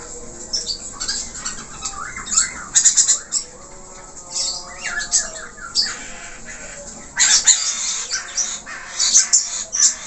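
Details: Gacor budgerigar, an Australian parakeet, with richly varied song: bursts of harsh scratchy chatter alternate with chirped phrases and quieter stretches, growing loud again in the final seconds.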